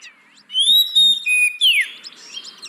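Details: Oriental magpie-robin song for enticing hesitant caged birds: a long pure whistle held level, a shorter lower whistle, then a sharp falling buzzy note followed by soft scratchy chatter.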